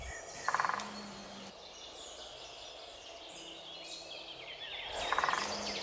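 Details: Great Spotted Woodpecker drumming in spring woodland in Poland, to attract a mate, claim territory and deter rivals: two brief, very fast rolls of wooden knocks about five seconds apart, with other birds singing behind.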